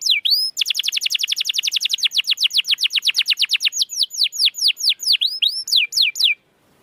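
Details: Canary song for encouraging a stalled or lazy canary to sing: a couple of swooping whistles lead into a long, rapid trill of repeated notes that slows into curling downward slurs before stopping.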